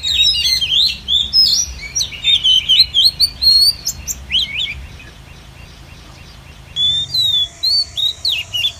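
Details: Oriental magpie-robin female call used to lure wild birds into a trap: quick bright chirped and whistled notes in rapid bursts, a brief pause, then another run of sharp high notes.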